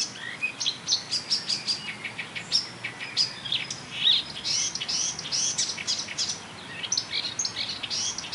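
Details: A marsh warbler at a railway embankment in Bernau-Friedenstal in May 2013 pours out a fast, pauseless song of high chirps, trills and buzzy notes, mimicking tit, blackbird, lark, goldfinch and starling.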